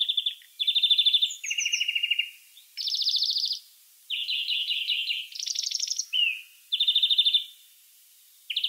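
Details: European greenfinch recorded in the wild, delivering continuous song of alternating rapid trills and rattles at shifting pitches, each burst about a second long, with a short upslurred note in between.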